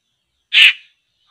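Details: One sharp, coarse rasp from a laughingthrush (poksay) being lured into traps, short and very loud, followed by silence with a faint distant whistle.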